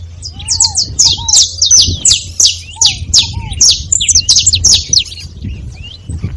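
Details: Several saffron finches calling together: dense, overlapping high sharp chirps and short buzzy notes in quick irregular bursts, with soft low descending whistles from another bird and a faint low hum behind.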